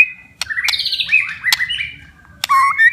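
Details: Caged white-rumped shama in full 'gacor' song, used to coax stressed or lazy shamas into singing: varied whistles and rich warbled phrases broken by sharp clicks, ending in a steady sustained whistle.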